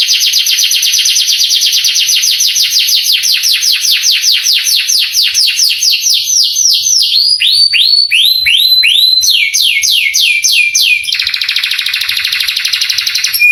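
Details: Canary song played to excite young canaries into singing: a long rapid trill slows into spaced, swooping notes, then switches to a buzzy, fast-pulsed roll.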